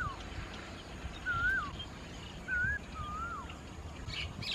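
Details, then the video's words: White-vented myna eating Ficus rumphii figs among rice fields in Khao Yoi district, Phetchaburi, Thailand, on 28 March 2016; four loud slurred whistles, each rising then falling, spaced irregularly, with soft chatter and low rumble behind. "นกเอี้ยงหงอน (White-vented Myna)"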